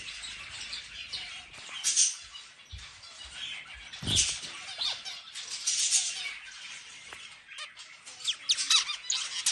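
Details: Zebra finch singing during a meal: buzzy, trumpet-like nasal notes and squeaky chirps in uneven bursts, one loud thump, steady faint background hiss.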